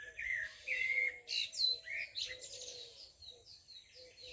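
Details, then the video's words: Lively high chirps and quick downslurred whistles repeat at an irregular pace, about one and a half per second. Beneath them runs a steady series of soft, short, lower notes. "The sound of birds - (Звук птиц)"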